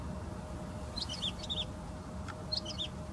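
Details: Woodlark singing: two short bursts of high, fluttering, liquid notes with quick slurred downward phrases, separated by a pause, over a steady low hum and rumbling background noise.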